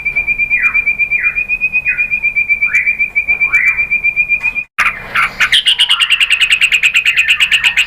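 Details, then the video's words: White-rumped shama lure song for stirring other birds to sing: a steady high whistled trill broken by downward-sweeping notes, a brief break, then dense, rapid chattering. "KICAUAN MURAI BATU merangsang BUNYI jadi NYAUT GACOR NGEPLONG BONGKAR ISIAN"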